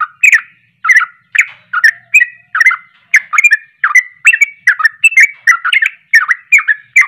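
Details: Emotional rapid 'ropelan' song of a sooty-headed bulbul, sung to provoke other bulbuls: an unbroken stream of loud, chattering, slurred whistled notes, roughly two to three a second, sharp and bubbly, with no other sounds.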